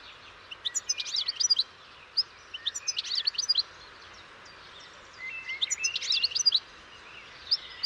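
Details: Goldfinch singing in three short, spaced phrases of rapid, jangling twitters, each a cluster of quick high notes with brief buzzy touches, separated by quiet pauses against low hiss.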